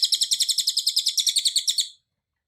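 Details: Cililin song recorded for training other birds, full-length with dense bursts: a fast, even trill of bright high chips, about eight per second, running for two seconds before stopping abruptly.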